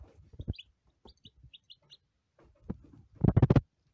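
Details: A handful of short, high, falling peeps from day-old lavender Ameraucana chicks, separated by soft taps, followed by a loud cluster of knocking and rustling.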